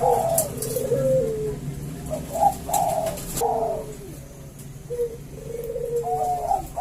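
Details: Two Bangkok zebra dove males exchange calls. Short, bubbling coos in irregular bursts alternate with downward-sliding notes, plus a few faint clicks in the background.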